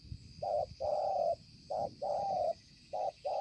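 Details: Decoy spotted dove, 5 September 2020, utters steady paired coos, a short note then a long flat one, three pairs within a few seconds, over low rumbling and a high insect-like hiss.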